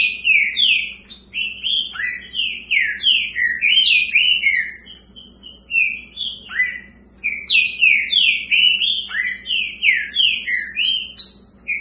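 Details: Two caged Green-winged saltators dueling: a nearly continuous stream of loud, full whistled notes, each bending sharply downward, delivered about three per second in phrases broken by brief gaps, with high thin notes layered on top.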